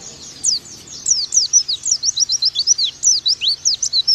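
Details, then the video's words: Oriental white-eye song used as a tutor recording: a rapid run of high, sharp downslurred chirps, about four a second, steady and unbroken after a short pause at the start. "Pleci Bakalan Nembak Pake masteran ini!!!"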